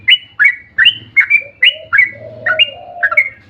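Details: Sooty-headed bulbul in lively long-rolling song, used as a lure to make other bulbuls sing: short bubbly whistled phrases rising then levelling, about three a second, over lower wavering notes and a faint low hum.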